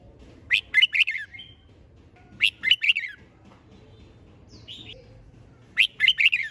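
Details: Red-whiskered bulbul delivering competition song meant to stir other birds into singing. Three rapid, lively warbled phrases come roughly every two and a half seconds, with a soft higher chirp between them over a low background hum.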